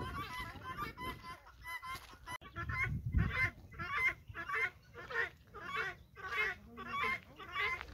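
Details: Several guineafowl kept on a farm follow a hen, calling in rough, buzzy bursts repeated almost twice a second, with a short burst of low background rumble midway.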